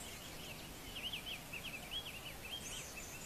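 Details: Diademed tanager (Stephanophorus diadematus) sings a faint, quick string of warbled notes that rise and fall at a high pitch over steady background hiss.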